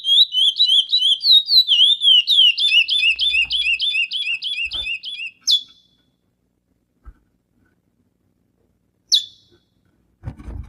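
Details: Chestnut-bellied seed finch (curió) singing a fast run of clear, slurred whistled notes, about three per second, shifting to a new repeated phrase midway. After about five seconds the song stops, leaving silence broken by a few clicks and knocks.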